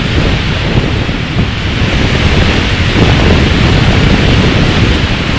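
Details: Strong wind buffets the microphone in a continuous rumbling roar, with no animal calls.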